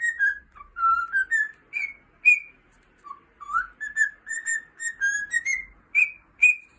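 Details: Singing pet cockatiel giving a long tune of whistled notes that dip low, climb in steps and end on several bright, higher whistles, each note short and separated by brief gaps.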